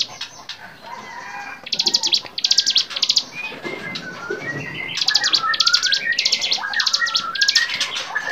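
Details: Bar-winged prinia song made for training songbirds: series of loud, high, buzzy trilled notes in quick succession, starting after a quiet opening. Softer whistles and chirps of other birds run underneath.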